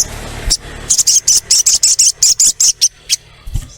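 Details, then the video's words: Female crimson sunbird calling to a male, used to lure sunbirds into calling: a steady series of high, buzzy 'cret' chirps, roughly three per second, for about two seconds. "SOGOKONTONG Cret cret ngleper Pancing sogon cepat bunyi"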